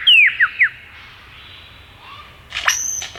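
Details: Three quick descending whistled slurs open this phrase from a male superb lyrebird moving between trees in the Dandenong Ranges forest near Melbourne, followed by a quiet pause and then a harsh, crackling burst with a high whistle.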